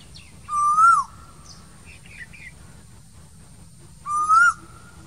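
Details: Asian koel calling in summer among green trees. It gives two clear, fluting whistles about three and a half seconds apart. Each one swells upward and then drops at the end. Faint chirps from other birds and a steady low background hum are also heard.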